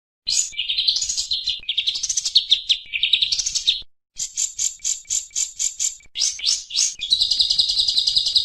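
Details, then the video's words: Oriental white-eye masteran recording for training songbirds: dense, very high twittering in long warbled runs, a brief pause, then a fast series of clipped repeated notes and a steady buzzy trill at the end. "masteran burung pleci"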